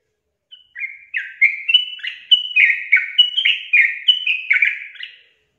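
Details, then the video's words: Sooty-headed bulbul song, played as a lure to prompt lazy birds into singing: about a dozen short, bubbly slurred notes alternating higher and lower pitches, delivered quickly over five seconds against a quiet background. "100% AMPUH UNTUK PANCING TRUCUKAN MALAS BUNYI JADI GACOR"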